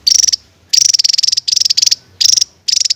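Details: Javan tesia song in the 'tembakan' style: six quick bursts of sharp, very high, rapidly pulsed notes, each a fraction of a second long, with short pauses between them.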